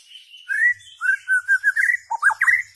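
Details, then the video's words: Shama song used to train goldfinches: smooth, mellow whistled notes that slide up and down, a brief run of quick warbles, then fuller fluty whistles. "تغريد عصفور الشاما صائد الذباب الهندي"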